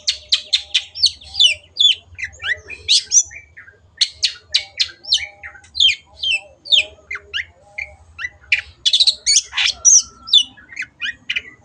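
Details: Long-tailed shrike in vigorous gacor singing, used as a masteran training recording for caged birds: a dense, rapid run of high, scratchy chips, trills and sharp notes with short pauses, plus a low hum underneath.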